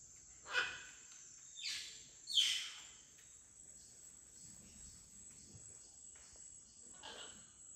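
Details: Scarlet macaws at a small clay lick in Yasuni National Park rainforest, coming down to drink mineral-rich water the day after heavy rain, give four harsh, raucous squawks, three close together then one after a pause, over a steady high insect drone.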